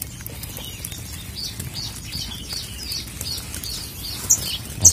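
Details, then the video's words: Young olive-backed sunbird (Cinnyris jugularis) giving its 'trotol' trill: faint, thin, high notes repeated irregularly about twice a second, then two sharp clicks near the end over a low background hum. "ANAKAN BURUNG MADU SRIGANTI || TROTOLNYA SANGAT ISTIMEWA.."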